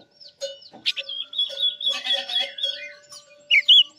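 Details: Chinese hwamei song used as a trap lure: a rich, varied run of fast warbled and whistled phrases with rapid trills and slurred notes, ending in loud high sweeping whistles, over a steady low hum throughout.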